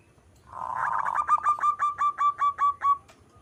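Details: Zebra dove, a local perkutut, singing: a rising rolling opening followed by a string of evenly spaced, clear cooing pulses roughly four per second, then silence.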